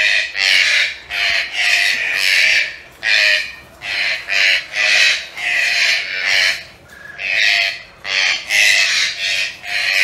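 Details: Pet green-billed (red-breasted) toucans in captivity calling in a rapid series of rough, rasping grreek-like bursts, about a dozen in ten seconds, each short and noisy, with barely any pause between them.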